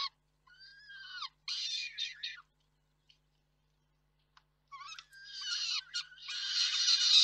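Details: Peregrine falcons at the Reda nest (KOKSIK) on 4 May 2023, with the father bringing food and the mother feeding. Short harsh cries and a falling whine come first, then a quiet gap, then a rising burst of loud rasping screeches.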